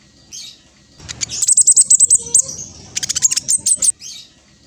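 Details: High, rapid series of evenly spaced chips from a speckled black sunbird, a very vocal lure bird, with two quick bursts after a faint opening note.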